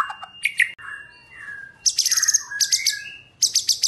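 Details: Male white-rumped shama in captivity, singing in the morning as a lure to provoke other shamas: loud varied phrases mixing high buzzy rattling bursts with clear whistled notes, fast and energetic.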